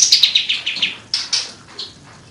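Cream-vented Bulbul giving a quick run of about eight sharp, high chirps, slightly descending, followed by a few louder, spaced notes.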